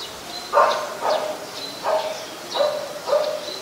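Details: White-vented myna in Ubon Ratchathani, Thailand, on 14 December 2020: five harsh, nasal call notes with a bright upper tone, spaced roughly every half second over a light background hiss.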